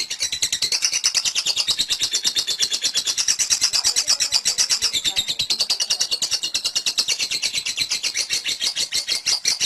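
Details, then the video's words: Lovebird 'ngekek' chatter used to lure other lovebirds into singing; a dense, harsh, very fast stream of high pulsed notes continues unbroken throughout, sounding hissy and crowded. "LoveBird Konslet Ngekek Panjang Terbukti Ampuh Pemancing Love Bird Ikut Ngekek"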